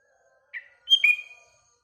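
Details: One short morning phrase from a sooty-headed bulbul: a soft introductory note followed by a loud, liquid whistle that slides downward, fading over about half a second.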